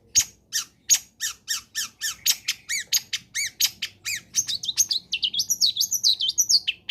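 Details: Long-tailed shrike (cendet) song used to spur reluctant shrikes into singing: rapid series of sharp downward-slurred chips about twice a second, accelerating into a dense run of high twittering, warbled notes.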